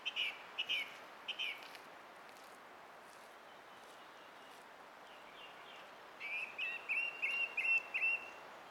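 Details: Song thrush song recorded 20 April 2016: a few clipped, chirpy phrases at the start, a quiet pause, then a rapid run of about six similar whistled notes repeated in quick succession.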